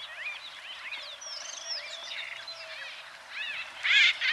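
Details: Several White-fronted bee-eaters calling in Kenya: a busy overlapping stream of short arched and slurred chirps, with a louder, harsher burst of notes toward the end.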